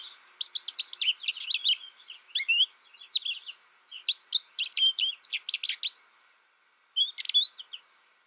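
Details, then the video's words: American goldfinch singing a long, fast twittering series of high, varied chirps and short slurred notes in bursts, pausing briefly near the end before a final cluster of twitters. "American Goldfinch Sound"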